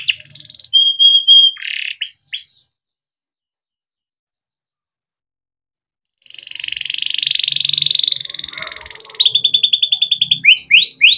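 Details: Timbrado canary singing a training song: trilled and rolling phrases with a clear whistled note and rising sweeps, broken by a silent gap of about three and a half seconds before a long buzzy roll and fast rising notes.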